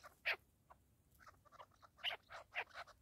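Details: Partridge calling in scattered short, rasping notes, a few louder bursts separated by quiet gaps, with faint background hiss.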